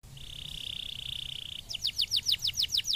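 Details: Canary singing: a steady, high buzzy trill held for about a second and a half, then a quick run of bright, curving chirped notes repeated about five times a second.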